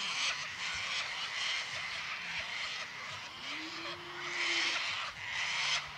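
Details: Sulphur-crested cockatoos, a big flock in a Victoria, Australia paddock, producing a continuous wall of grating screeches that swells loudest near the end, while a smooth low hum rises and fades midway.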